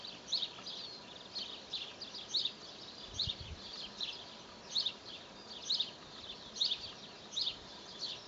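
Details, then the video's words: Young tit in an apple tree in spring giving high thin chirps, repeated roughly every half second in a steady series, with a brief low rumble near three seconds. "Młoda sikorka na jabłoni"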